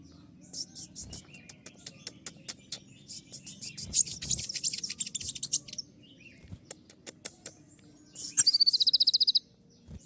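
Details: Kolibri ninja sunbird singing in the sharp, shrill 'tembakan' style, rapid bursts of very high chirps and dry ticking notes, then a fast buzzy trill near the end; faint low hum beneath.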